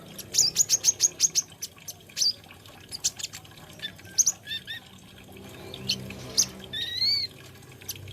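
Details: Olive-backed sunbird, locally called kolibri ninja or konin, singing a rapid run of about eight sharp high chips, then scattered thin notes and two rising whistled slurs near the end; faint low background hum.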